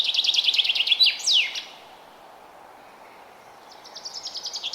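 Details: A forest bird in early spring gives a quick series of bright chirps that drifts lower, then a sharp descending flourish; after a lull, another string of rapid high notes begins.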